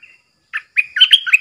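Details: Caged bulbul used as a decoy, with wild birds coming in to it three times: a faint high note, a pause, then a short burst of bright, liquid, warbled notes lasting about a second.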